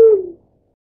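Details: Black-chinned fruit dove giving a single short, low hoot that slides gently downward and fades within half a second, with no other sounds around it.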